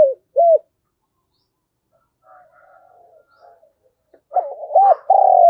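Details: Morning call of a decoy spotted dove meant to attract wild doves: the end of a cooing phrase, a faint distant coo in the pause, then a new loud phrase of looping and long coos.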